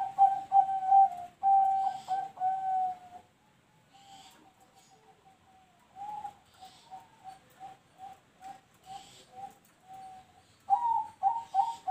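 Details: Zebra dove (perkutut) singing in the noklak nekung song style: soft, level coos near one pitch, delivered in quick stuttering runs of short notes with pauses between phrases, ending in a louder burst of rapid cooing notes.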